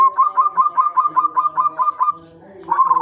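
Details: Zebra dove lure recording meant to get other birds singing: rapid bursts of bright, throaty coo notes repeated several times a second in a steady run, a short pause, then the trilled cooing resumes, with softer overlapping coos underneath.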